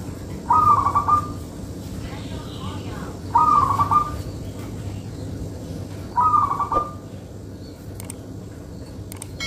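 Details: Local zebra dove (perkutut) in full song, used for luring: three bursts of rapid, bubbling trilled cooing about three seconds apart, each under a second long, over steady low background hum.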